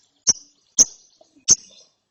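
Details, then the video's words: ['Lovebird chick, after therapy, gives three separate sharp, shrill high chirps about half a second apart, in ngeriwik chirping style.'] "ANAKAN LOVEBIRD NGERIWIK SETELAH DITERAPI"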